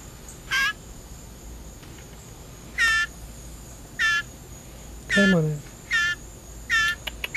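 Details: Blue jay in care, shrieking when hungry during a feeding: seven rasping, rough shrieks at irregular intervals of about a second, one overlapping a low murmur, with soft room hiss behind.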